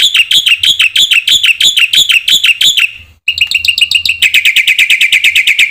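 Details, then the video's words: Lure song of a black-winged myna, aimed at making other mynas sing. Loud scratchy chattering notes run for three seconds, then, after a short gap, a faster series of sharper repeated notes follows. "pancingna suara jalak putih gacor full isian"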